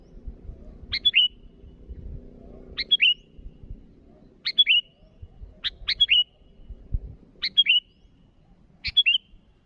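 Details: Sooty-headed bulbul calling to rivals with six or seven bubbly phrases, each a sharp click and two short downslurred whistles, spaced one to two seconds apart; light low-pitched rumbling underneath.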